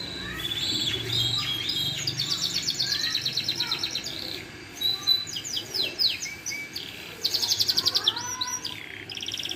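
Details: Yellow canary pouring out varied song: fast high trills, ringing whistles and buzzy rolls in bursts, with a descending series of lower slurred notes near the end.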